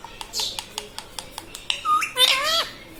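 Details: Pet ring-necked parrot, a talking parrot indoors, giving a run of short clicks and ticks, then a rising whistle and harsh, buzzy squawking phrases with falling slurred notes.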